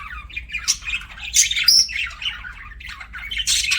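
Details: Pet budgerigars chirping: busy, scratchy warbling chatter with squawky notes and sharp high chips, irregular and continuous, with a faint low hum behind.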